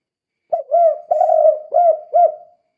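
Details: Spotted dove calling, used to lure or stir other doves into calling: a series of four low cooing notes, each with a rising then falling tone, delivered in a steady phrase over about two seconds.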